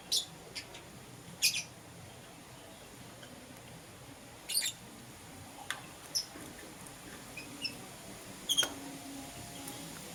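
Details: Morning chirping from lovebirds, green personata and yellow pastel pied: scattered shrill, clipped squeaks, singly or in quick pairs, spaced irregularly a second or more apart against a quiet hum.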